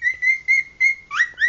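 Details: A very old pet male cockatiel, 16 and nearly 17 years old, that whistles louder the louder people talk, gives a run of clear, steady whistled notes, then two quick upward-sliding whistles.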